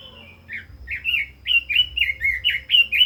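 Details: Continuous bright warbling from a Red-billed leiothrix, 'kích giọng' style: after one soft drawn note comes a steady run of around ten looping slurred whistles, evenly spaced and clear over a faint low hum.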